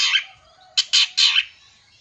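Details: Long-tailed shrike full-isian song meant to provoke young birds. A harsh buzzy burst is followed by a pause, then three short rasping notes in quick succession.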